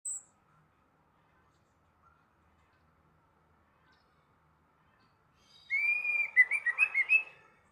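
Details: Orange-headed thrush in the morning: after long near-silence, a brief rich warbled phrase of fluty, slurred notes with quick rising and falling twists, lasting about two seconds at the end.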